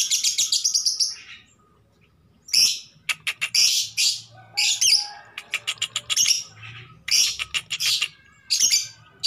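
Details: Female lovebird calling to draw the male for mating: harsh, high squawking chatter in rapid bursts, some long rasping screeches and some quick staccato series, with brief pauses between outbursts.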